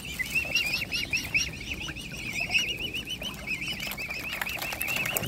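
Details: Mute swan cygnets being hand-fed, with the swan family: a steady stream of high, wavering peeps, each bending up and down, overlapping almost without pause. A person speaks softly and coaxes them nearby.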